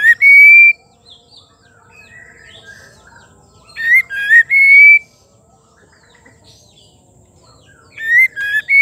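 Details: Female white-rumped shama singing to provoke males into song: loud clear whistled phrases recur three times, each a short note, a dipping note and a long, slowly rising whistle, with soft chirps between.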